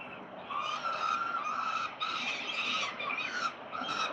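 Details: Peregrine falcons at 367 Collins, Melbourne, Australia, on 13 November 2022. A harsh, drawn-out wailing call sounds almost continuously. It is nasal and richly harmonic, rises and falls, and breaks briefly near two and three and a half seconds.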